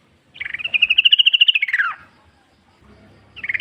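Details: {'caption': 'Wild sooty-headed bulbul, a lure for other bulbuls: a fast trill of pulsed notes that rises slightly, holds, then slides steeply down, with another trill beginning at the end.'}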